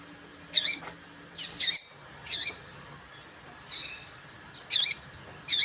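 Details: Female papa-capim seedeater call, used to excite males into singing. Short high squeaky notes in bursts, some doubled, about every second, with faint low hum in the background.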